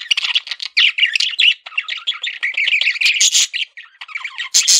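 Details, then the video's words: Pet male parakeet in steady excited chatter: rapid nasal warbles, squeaks and harsh buzzy notes, ending with a sharp high squawk. "MALE PARAKEET SOUNDS"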